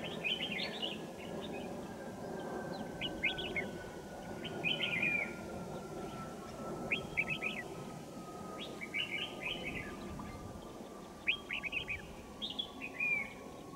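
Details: Wild Red-whiskered Bulbuls during a trapping session at Kim Bôi, Hòa Bình, on a winter morning, 3 January 2018: lively chirping phrases repeated every second or two. A faint steady hum runs underneath, along with rural background noise.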